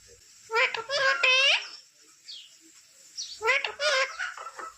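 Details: Pet parrot talking indoors: two bursts of human-like speech syllables with strong tonal harmonics, separated by a quiet pause with a faint short chirp.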